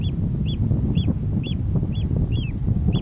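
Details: Oystercatcher on Ceann Ear island, a links-like landscape, on July 25, 2011, giving shrill, piping 'kleep' notes about twice a second, each sharply arched, over a steady low rumble of wind or handling noise.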